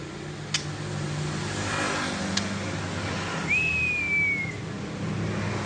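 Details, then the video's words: Single long whistle from a white-rumped shama singing ngelowo: one clean note that holds for about a second and drifts slightly downward. A couple of sharp clicks come before it, and passing-car noise runs throughout. "Burung murai bunyi ngelowo"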